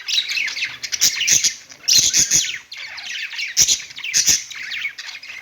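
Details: Budgies chirping and singing on a perch, kept as pet birds: busy high chattering warble broken into bursts about a second long, with crisp clicking taps between phrases.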